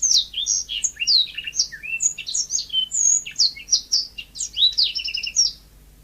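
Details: Yellow-fronted canary in full natural song, an unbroken stream of sharp high chirps, slurred whistles and quick down-sweeps, ending with a rapid stuttering trill of repeated short notes.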